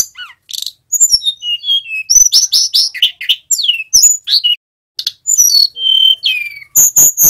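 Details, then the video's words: A male Sunda robin learning to sing practises a rambling, high song of sweet slurred whistles, buzzy chattering bursts and sharp chips, with no other sounds. "Tledekan Gunung Jantan Belajar Bunyi NGEROL"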